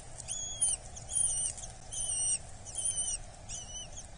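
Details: At a Dorset nest on 8 July 2024 a Eurasian hobby chick being fed utters shrill, drawn-out whining calls, about five in four seconds, each bending slightly in pitch, over a low continuous hum.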